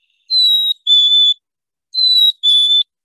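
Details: Black-capped chickadee; song; song tied to the breeding season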